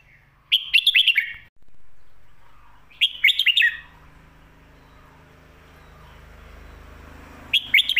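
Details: Red-whiskered bulbul singing a complete, well-delivered, fast-paced song style used to teach young birds: three loud phrases of quick, clear, warbled whistles, each about a second long, spaced several seconds apart in otherwise quiet surroundings.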